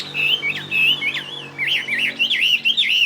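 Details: Fighting Chinese hwamei, tame and of northwest Vietnamese origin, kept in Saigon, singing loud wavering whistles: steady warbled notes first, then a faster series of tight rolling loops.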